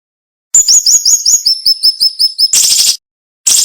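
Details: Cinnamon-bellied flowerpecker tutor recording, a sharp, rapid 'nembak' style song. A quick run of very high, thin downslurred notes steps from a higher to a slightly lower pitch, then breaks into a harsh buzzy burst.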